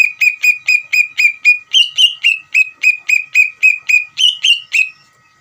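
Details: Greater green leafbird song played to provoke another leafbird to answer, a fast run of about twenty ringing whistled notes at a steady pace, with two higher sweeping phrases breaking the series.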